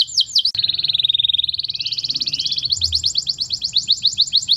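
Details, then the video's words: Canary, called a hippie canary, singing a song meant to stimulate mating: a few sweeping notes open into a long rapid buzzy trill, then a quick run of high repeated downslurred chirps. "تغريد كناري هبي ممتاز"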